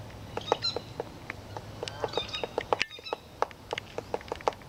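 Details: A male Downy Woodpecker, busy for ten minutes at a pond near a bridge on a Saturday morning, 20 September 2014, at Ipswich River, Massachusetts, makes sharp, dry taps in an uneven series, about three a second, with faint higher chirps and a low hum behind.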